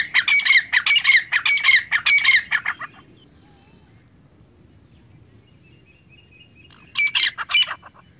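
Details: Grey francolin (teetar) giving loud, harsh, grating squawks in rapid bursts for about three seconds, then a pause and two more sharp notes; one of several calls presented as hunting sounds.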